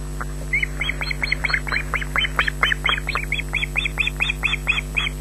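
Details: Osprey chick #3 begging at a Loch Garten nest on 14 June 2012 while its sibling hides beneath the female: evenly spaced, strident high shrieks, roughly four per second, with a low mechanical drone.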